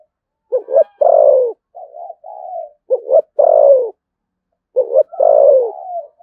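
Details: Spotted dove from Đồng Nai, Vietnam, singing in the 'thổ sấm' voice style with 'thúc gù' cooing. Three deep, hoarse coo phrases, each a short double note and then a long falling coo with softer trailing notes, repeated about every two seconds.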